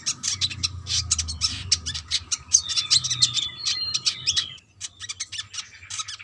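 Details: Female brown-throated sunbird calling a male: busy streams of sharp, high ticking notes, a few thin drawn whistles threaded through, over low background rumble.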